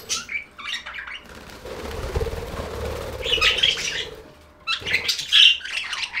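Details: Budgerigars chirping over a stretch of fluttering, rustling noise, with bright squawky chirp bursts returning toward the end.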